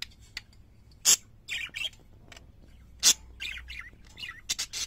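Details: Pet parakeets singing: loud, scratchy squawk bursts near one and three seconds, with quicker warbled chirps between them, broken by short silences.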